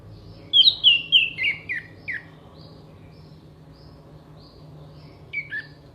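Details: Orange-headed thrush, a songbird-contest bird, delivers a fast run of descending whistled notes, each a short slur dropping in pitch, then a pause and a brief final pair of notes, all over a faint low hum.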